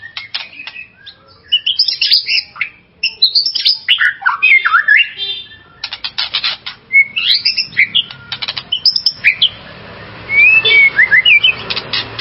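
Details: Captive white-rumped shama song played to provoke and excite another shama: busy, scratchy, jumbled phrases of chips, buzzes and short whistles, with occasional clear rising whistles near the end over a steady background hiss.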